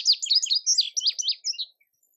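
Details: Indigo bunting song made of quick, sharp, whistled notes sweeping downward, grouped loosely in pairs, lasting under two seconds before falling silent.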